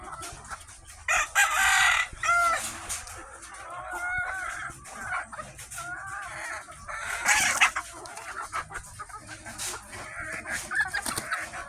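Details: Mother hens giving repeated harsh, broken clucks and squawks, with louder bursts near the start and again around the middle, over steady low background noise.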